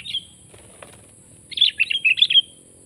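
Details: Sooty-headed bulbul, a wild bird targeted for trapping, giving a quick burst of five or six bubbly, warbled notes after an earlier single short note and faint wing flutters.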